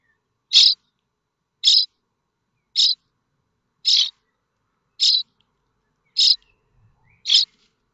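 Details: Nestling common starlings at Théding, France, 7 May 2024, begging while awaiting a parent with food: seven harsh, raspy high bursts repeated roughly once a second in a steady rhythm, with nothing else heard.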